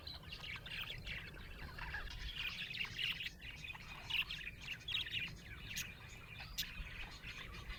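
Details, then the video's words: Pet budgerigars, colourful Australian parrots, chirping contentedly: continuous warbling chatter of several birds with squeaky rising notes, a brief quieter pause near the middle, then renewed twittering and occasional sharp ticks. "Happy budgie chirping sound"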